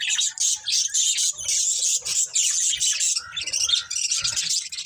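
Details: Breeding pair of budgerigars chattering: busy high-pitched twittering and scratchy warbled notes run together, with brief squawky bits near the end.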